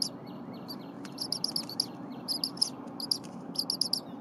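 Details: Bald eagle eaglet on a Berry College nest in January, very vocal while its mother prepares stiff leftover prey; piercing high chirps in tight rapid clusters, louder and clearer, with a soft thump near the start and faint background hum.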